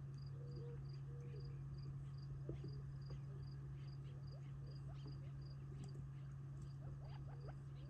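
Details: Flock of Gambel's quail feeding on a family property near Tularosa Creek in July 2021, before retreating for the night; soft low whistled notes and quick rising chirps scattered through, over steady pulsing crickets and a constant low hum.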